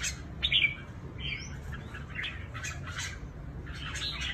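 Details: Red-whiskered bulbul kept for trap fighting in Cao Bằng, Vietnam, giving a loud harsh burst early on followed by softer scattered chirps and short warbles against steady low-pitched background noise.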